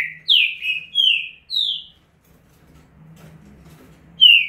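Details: Four quick ringing whistles from a green-winged saltator singing estouro style, then a pause with faint low background hum, before one more clear whistle ends the passage.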